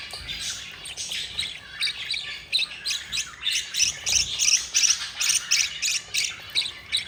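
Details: Four budgerigar babies begging while a yellow mother budgie feeds them: a steady run of scratchy, hissing rasps, roughly three per second, growing louder and denser toward the end.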